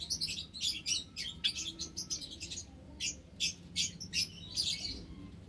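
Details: Aviary housing ten white Java sparrows plus white-headed, scaly-breasted and tricolored munias, March 2021; rapid overlapping high tweets at first, then spaced single chirps every half second or so.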